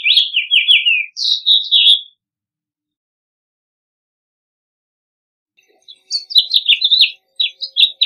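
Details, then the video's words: Two separate phrases of house finch song, each a rapid chain of warbled, slurred notes, with a long silence between them. "Pinzón Mexicano / Carpodaco Canto! Llamado! Cantando! - House Finch Song - Haemorhous Mexicanus"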